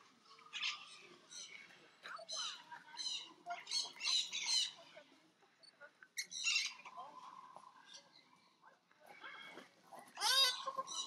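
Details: Crimson-bellied parakeets, in a recording about feather care and mutual preening, give harsh, raspy screeches in quick bursts of several notes, broken by short pauses, over a faint low hum.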